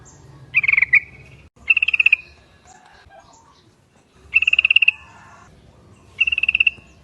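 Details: Lure call of a yellow-vented bulbul, used to draw replies from others of its kind: four quick bursts of fast, buzzy, stuttering chatter separated by pauses of one to two seconds.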